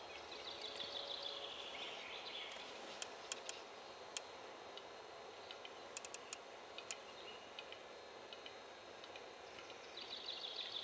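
A western capercaillie's display: sharp, dry clicks come singly and in quick bursts of three or four. Faint high trills from small birds sound at the start and end.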